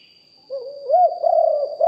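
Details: A single deep coo phrase from a decoy spotted dove recorded live, with low notes gliding up, holding and ending in a short arched note, over a faint constant whine.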